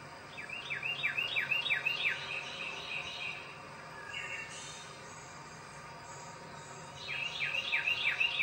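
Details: Wren singing while feeding at a backyard bird sanctuary in Macon-Bibb County, Georgia: two bursts of rapid, bright, down-slurred notes repeated several times a second, separated by a quieter gap with a brief buzzy sound, over a steady insect hum.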